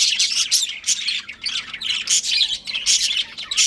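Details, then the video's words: Pet breeding pair of budgerigars chirping: dense, scratchy chatter of rapid warbles and squeaks in bursts, nearly continuous with short dips. "Budgies Chirping Sounds"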